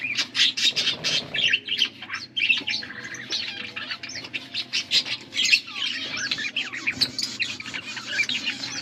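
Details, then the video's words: Several blue budgerigars chirping as they feed each other, August 2024: quick clicks and sharp chirps give way to a busy, scratchy warbling chatter, steady low hum behind. "Beautiful blue budgies 💙 feeding to each other birds chirping sounds"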